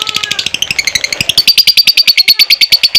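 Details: Fighter lovebird singing a long ngekek trill to provoke other lovebirds into song: rapid chattering high notes that shift pitch early on, then settle into a fast, uniform ticking trill lasting over a second and a half.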